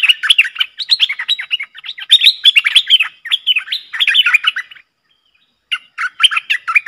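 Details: Streak-eared bulbul pair in a heated song duel, 30 October 2021. Dense run of bubbly, warbling chirps that falls silent briefly near the end before a short burst resumes.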